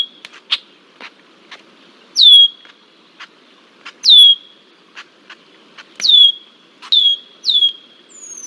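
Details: Red-winged blackbird in Decorah, Iowa, on 20 July 2023, persistently harassing a bald eagle: sharp downslurred whistles, each dropping steeply and fading into a thin tail, repeated at uneven intervals between short dry ticking clicks.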